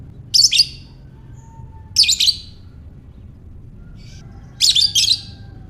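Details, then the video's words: Lovebird calling in ngekek fashion to lure other lovebirds: three clusters of grating, high chirps, each with two or three quick notes, spaced about two seconds apart, with a faint thin tone between clusters. "Lovebird Ngekek"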